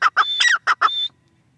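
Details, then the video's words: Short burst of teetar, the grey francolin: a handful of harsh notes and a drawn-out whistled tone, ending in quiet. "Teetar sound | teetar | dakhni teetar awaZ | teetar voice | irani teetar awaz"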